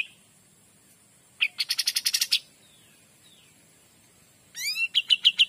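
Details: Kapas tembak, the cream-vented bulbul, gives two short 'gacor dor' bursts: first a buzzy rattle of quick notes, then after a pause, a sweeping downward call leading into clipped repeated chips; faint twitters between them.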